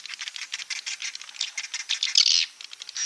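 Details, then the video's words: Edible-nest swiftlet roosting call in the klepek-klepek style, used to attract swiftlets: a fast, dense stream of high, scratchy chirps and twitters, with a brighter squeaky burst near the end. "Suara Inap Walet Klepek-Klepek"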